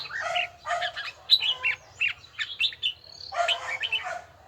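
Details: Red-whiskered bulbul in voice training, giving chunky bursts of mixed whistles and fuller notes, each burst about half a second long. A sustained high whistle appears before the last burst, over a faint low hum.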